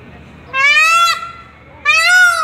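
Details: Male Indian peafowl kept as a pet, calling to his mate: two loud, nasal, wailing cries about a second long each, swelling slightly upward then dropping, separated by a short pause.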